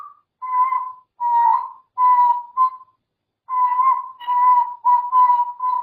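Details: Pet grey parrot giving a run of steady, mid-pitched whistled notes, each about half a second long, with a pause after the fourth note before a faster burst of five more whistles.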